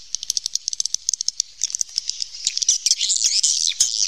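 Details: Wild swiftlets in a cave. Rapid dry clicks come about three per second at first, then give way to a thick chorus of high, buzzy chattering.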